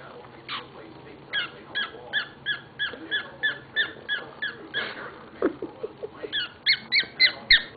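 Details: Pet bird singing happily indoors: a run of short, bright, squeaky notes, about three each second, with a few lower chirps and a soft background hum.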